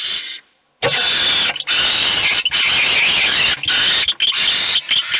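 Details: Several hungry owl chicks in a nest box beg together, with only one getting fed: nearly continuous overlapping rasping hisses after a brief pause, dense and harsh with occasional short breaks.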